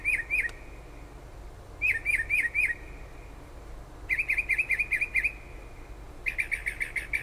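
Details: Unknown bird heard late at night and in the early morning just outside a kitchen window in Toms River, New Jersey, about five miles from the shore: four bursts of rapid, sharp chirped notes, each lasting under a second, with short gaps between them, against low hiss.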